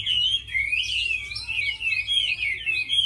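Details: A tame fighting Chinese hwamei sings an unbroken, fluid warble of loud whistled notes that wander up and down in smooth waves for the whole three seconds.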